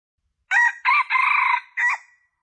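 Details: Crowing junglefowl on a lure recording for attracting males. The phrase runs as a quick rough note, a second burst, a drawn-out grating note, then a short final note fading away, against silence.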